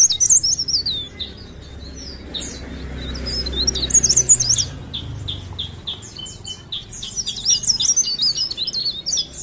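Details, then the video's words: Actively singing leaf warbler from Parepare: bursts of very high, twittering, slurred notes, a softer lull with low rumbling in the middle, then another dense spell of squeaky chatter. "CIKRAK DAUN | PARE PARE | BLERENG GACOR"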